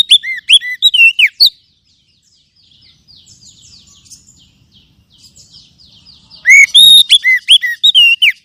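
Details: Oriental magpie-robin lure song for kept adults and speckled young: fast, loud whistled notes at the start and the end, with soft chattering notes in the quiet between them.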